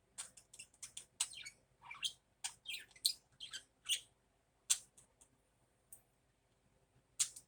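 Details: In the morning, a budgerigar keeps up a busy stream of scratchy chirps, clicks and rising-falling squeaks, dense at first and thinning toward the end with a final loud chirp.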